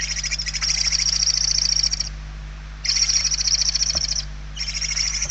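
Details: Nest interior in Spain, November 2023, where hungry barn owl chicks make loud, buzzy hissing screams lasting up to two seconds, repeated after brief silences, with a constant low hum underneath.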